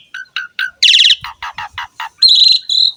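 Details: Asian pied starling song used to prompt other birds to sing: a few spaced chirps, a fast buzzy burst, a run of harsh grating notes, then long, steady high whistles.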